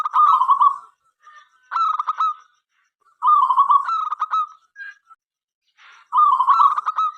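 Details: Local zebra dove singing frequently to prompt other doves to sing; four rolling cooing phrases, each a quick series of clipped notes and a purring trill, with a short noisy rustle near the end.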